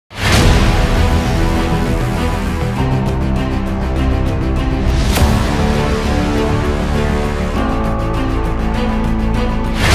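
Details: Loud dramatic theme music with steady beats fills the whole recording, with no bird sound heard.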